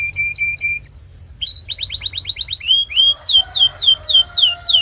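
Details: Training song of a canary: short whistled notes, a held pure whistle, a fast rattling trill, then loud sweeping downslurred whistles repeated about twice a second.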